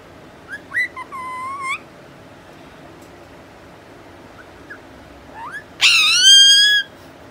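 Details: Angry four-month-old rose-ringed parakeet. Brief chirps and a held whistled call come first. After a pause, a very loud, harsh, overtone-rich screech lasts about a second. The background is otherwise quiet.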